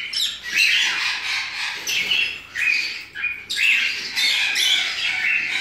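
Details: A rosy-faced lovebird (Agapornis roseicollis) at an exotic bird breeding facility in Campinas gives harsh, shrill squawks and chattering screeches in bursts, loud and high-pitched, with brief pauses between.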